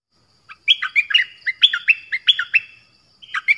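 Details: Nok dok taeng song of the style called phleng boen, used to teach young birds to sing along and to lure wild birds. Quick whistled notes, some rising and some falling, come in a fast run with a short pause before a second phrase.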